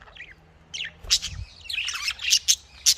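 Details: Budgerigars kept for breeding give soft, rising chirps at first, then a run of bright, squeaky chatter with several sharp, clipped notes toward the end.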